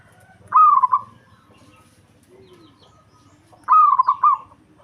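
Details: Local zebra dove singing to provoke a rival: two strong phrases, each a high opening coo sliding into fast, bubbling stuttered notes, with about three seconds of near silence and faint low sounds between.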